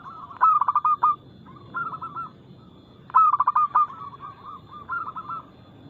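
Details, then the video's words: Zebra dove, local type, singing fast, loud and crystal clear as lure song for other doves: two loud stuttering coo bursts about three seconds apart, each trailed by softer rolling phrases. "PERKUTUT LOKAL GACOR Nada cepat Suara keras kristal Bikin cepat bunyi ( Pancingan Burung Anggungan)"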